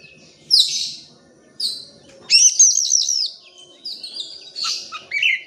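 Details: Oriental magpie-robin song used as a lure to get reluctant birds to sing: loud, high varied phrases of sharp whistles, slurred notes and buzzy trills separated by short pauses, with faint low chatter underneath.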